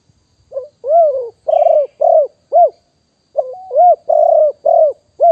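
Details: Wild spotted dove, recorded live in 2021 as a decoy sound, gives a mellow cooing phrase of a short hooked note and three or four rounded, slurred coos, then repeats it after a pause; otherwise quiet.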